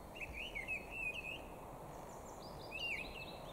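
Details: Song of a mistle thrush recorded 13 April 2021, two brief clear whistled phrases with quick up-and-down inflections separated by a gap of about a second, against constant low rumble and a thin high background tone.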